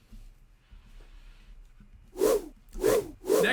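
Quiet start, then three loud breathy swishing bursts about every half second, like rubbing or a zipper, with no animal voice.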